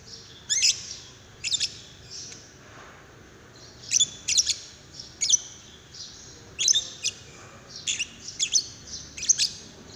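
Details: Lovebird prompt call meant to set another lovebird singing: bursts of piercing high chirps, sometimes doubled, arriving in irregular clusters over ten seconds with short quiet gaps between.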